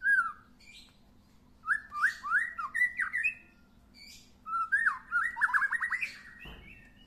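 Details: White-rumped shama, just past its first moult, sings while sunbathing: bursts of rich, slurred whistles and rapid trilled notes, delivered in two loud phrases separated by a brief pause, ending with a sharp click.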